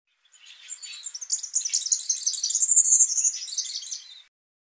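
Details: Superb fairywren, Malurus cyaneus, at normal speed: one rapid, very high reeling trill lasting about four seconds, swelling in loudness toward the middle and fading out, with no other sounds.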